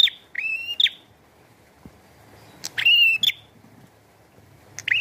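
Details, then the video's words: Prinia, bar-winged, singing strongly with rainfall behind: a buzzy harmonic note rising to a level whistle, a gap of light rain noise, then two more similar notes close together. "Burung Prenjak Gacor & Air Hujan"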